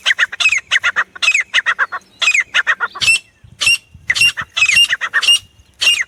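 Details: Jungle francolin (teetar) voice for hunting: clusters of harsh squawking notes in quick runs, some sharp and sweeping down, with brief pauses between phrases and a faint steady tone behind.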